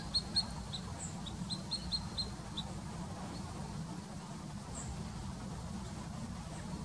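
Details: Little grebe (Tachybaptus ruficollis) at Plaiaundi, Txingudi, Irun, Gipuzkoa, in September 2019, giving a quick run of high, thin squeaky notes over about two seconds, then one faint extra note, against steady low rumbling background noise.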